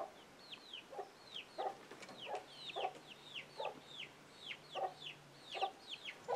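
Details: Chicken alarm call as young chicks scramble; rhythmic low clucks every half to one second, with a dense chorus of high, downward-curving chick peeps over the top.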